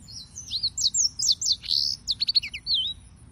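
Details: Singing yellow-fronted canaries (Serinus mozambicus), called white-tipped green singers: a fast run of high sweeping whistles and chirps, one louder buzzy note near the middle, then rapid clipped notes ending in a falling whistle.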